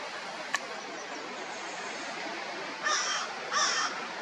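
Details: Eastern kingbird on the shore of Big Bay de Noc, looking for insects; two short harsh, buzzy bursts close together near the end of the clip, following a single faint click, over steady outdoor background hiss.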